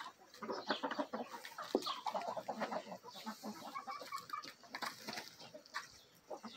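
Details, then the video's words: Chickens of several breeds, including Marans, Araucana and Easter Egger hens with a Bielefelder-Marans rooster, in a backyard feeding frenzy; continuous chatter of soft clucks and rapid pecking clicks. "Bielefeld Marans Rooster & Hens Feeding Frenzy!"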